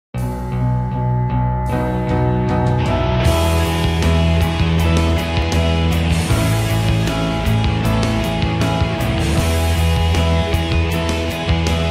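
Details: Loud rock music with heavy bass, drums and electric guitars plays throughout, with no animal sound heard.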